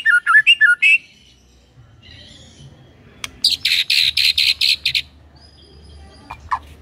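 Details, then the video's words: Songbird giving a brief run of looping whistled notes, then after a pause a series of high buzzy rasping notes and a couple of sharp clicks. "Murai Batu Jadi Ikut Gacor"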